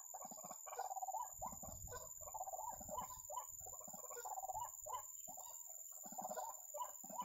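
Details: White-breasted waterhen calling continuously at a trapping spot: throaty, clucking croaks in uneven clusters, repeated almost without a break, with some low background thumping.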